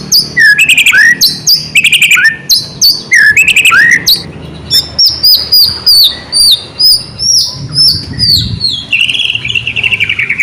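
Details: Loud white-rumped shama song used to goad quiet shamas into singing: strong whistled phrases with dropping slurs, then a run of high notes gradually descending in pitch.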